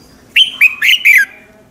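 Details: Red-whiskered bulbul morning song, used as a lure to get other birds singing. One quick phrase of four bright whistled notes in under a second, the last note gliding downward.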